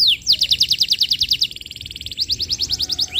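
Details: Energetic canary lure song for training juveniles: a fast chain of bright clipped notes, about six per second, that briefly dips lower and softer and then resumes at the same brisk pace.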